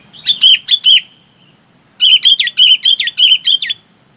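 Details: Chinese babax gives flock calls: a short burst of four loud, ringing, slurred notes, a pause, then a longer run of about eight rapid, repeated whistled notes.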